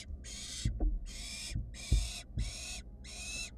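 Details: Wild barn owl nestlings in a monitored research nest box, food-begging with loud, harsh hissing screeches about half a second long, five in a row at a steady pace, while siblings keep searching after one swallowed a mouse whole; soft thumps and shuffling below.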